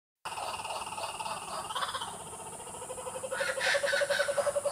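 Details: Laughing kookaburras in the Australian bush: a rolling chorus builds from a noisy, hissing background into rapid, evenly pulsed chuckling notes that grow louder toward the end.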